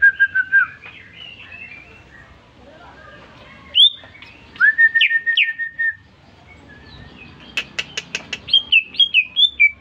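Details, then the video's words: Recently purchased caged greater green leafbird responding to whistling with song: scattered quick chirpy bursts, sharp high notes, a burst of clicking ticks, then a lively run of bright slurred whistles. "Cucak Ijo Gacor baru beli kena siul langsung ngoceh"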